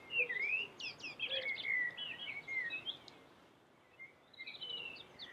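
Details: Common blackbird singing: a fluty, rising and falling warble with scratchy high notes mixed in, then a softer, thinner continuation, all over a noisy hiss.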